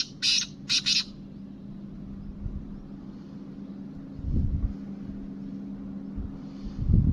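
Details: Black francolin, Kabotra type, utters a short series of three harsh chirping notes. Then come only a low steady hum and some dull thumps.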